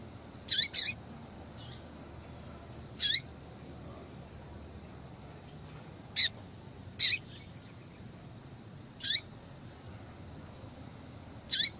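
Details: Female papa-capim, the yellow-bellied seedeater, calling to make a male start singing: about eight piercing, quick falling chips, a few in close pairs, scattered irregularly across the stretch above low background noise.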